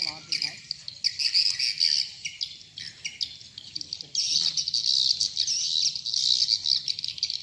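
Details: Swiftlet lure call for bird farming, "sp rambut lmb" type: choppy buzzy chirps at first, then a long unbroken stretch of hissing, rasping twitter filling the second half, with faint low hum beneath.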